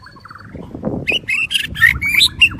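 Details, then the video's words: White-rumped shama of the Daklak form, singing in the windy season: a low warbled opening, then loud rich whistled notes and sharp high phrases in quick succession over low rumbling background noise. "Chích chòe lửa đuôi tôm daklak shama bird sing"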